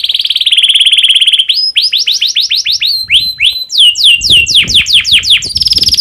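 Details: Singing canary in breeding condition, a lure to spur other canaries into song: a fast, even, buzzing roll gives way to loud, repeated, down-slurred whistled syllables, with faint low background noise.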